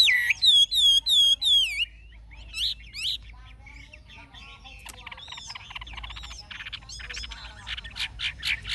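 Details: Forest-voiced song of a caged, wild-caught adult Chinese hwamei. Four loud arched whistles come in quick succession, then come scattered slurred notes and a long stretch of busy, softer warbling and chatter.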